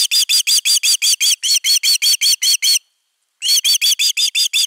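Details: On 31 August 2021 a nest-cam osprey defends its nest with insistent, high whistled yelps repeated rapidly, stopping for about half a second before another quick run.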